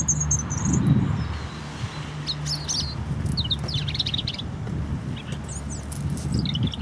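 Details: A European robin singing in Hope Park, Keswick, Cumbria: thin, high, varied phrases of short trills and sliding notes in scattered bursts over a steady low rumble of wind or distant traffic.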